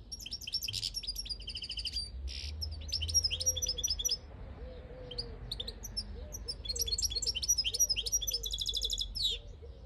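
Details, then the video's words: Wild field goldfinch recorded in 2022, giving two long bursts of rapid, tinkling, high twittering song separated by a short pause, with soft low cooing from another bird running underneath throughout. "Jilguero campero"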